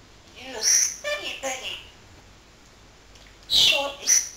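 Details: Pet parrot that talks all day long to entertain people, uttering short speech-like phrases with bright, high overtones in two bursts separated by a silent pause, in a quiet room.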